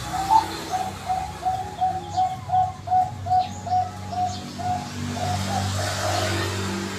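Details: Bangkok-type zebra dove singing with a "yahoi" ending: a fast, regular series of about ten clipped, hollow coos at one pitch, then tailing off, over low traffic-like rumble and faint higher chirps.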